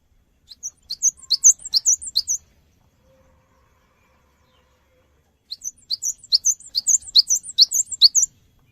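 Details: Cinereous tit singing as a lure to prompt other birds to respond: two bursts of fast, very high, squeaky slurred notes, each about two seconds long, separated by three seconds of silence.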